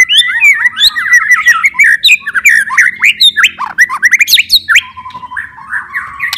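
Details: White-rumped shama in full, energetic song meant to stimulate stressed or silent shamas into singing; fast varied whistles, slurred notes and sharp chattering phrases tumbling in quick succession with rising sweeps near the end.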